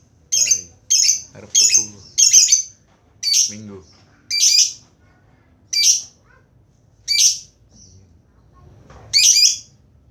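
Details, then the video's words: Lovebird giving its ngekek chattering song: harsh, squawky bursts repeated about every second, each a short noisy burst, with a few softer low sounds in between. "Suara Burung Lovebird Ngekeknya"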